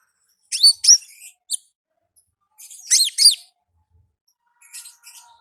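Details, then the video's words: Olive-backed sunbird in the wild: two bursts of high, sharp downslurred chirps about two seconds apart, followed by softer twittering. "Suara Asli Ngalas Konin Ninja di Alam Liar"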